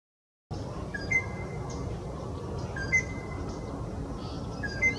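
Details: Greater racket-tailed drongo calling in Maharashtra, India: short, clear metallic whistles repeated about every two seconds, over a steady background hiss.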